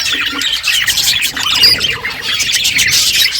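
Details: Feeding budgerigars produce steady high chattering chirps and scratchy warbles, several birds calling at once.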